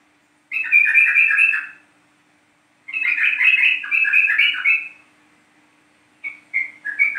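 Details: East Javan 'trucuk kebo' yellow-vented bulbul, a lure recording meant to get captive bulbuls singing: two long, rich bubbling warbles of one to two seconds, then a run of short clipped notes.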